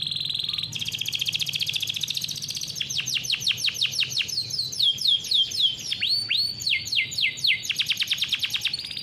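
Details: Farm-bred canary singing a long rolling song used to train juvenile canaries: an even high buzzing roll, then repeated descending sweeps, several deep looping swoops, and a closing series of rapid chips, with faint low hum.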